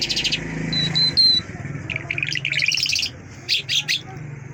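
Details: Mashhadi lark song: a buzzy opening burst, a couple of thin level whistles, then clusters of rapid chirping notes, over a steady low hum.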